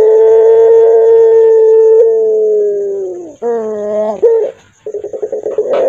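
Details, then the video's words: Barbary dove of the puter pelung type, its voice described as hoarse and fearsome: one very long, steady, even note held about three seconds, then a falling tail, a harsher short phrase, and a quick run of pulsed coos. "Suara PUTER PELUNG serak menyeram kan"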